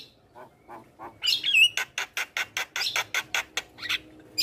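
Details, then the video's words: A very active Javan myna, recorded as tutor song to play every morning for young birds in training: faint low notes, then a twisting whistle followed by a long series of harsh, evenly spaced rasping calls. "Masteran Jalak kebo Super Gacor"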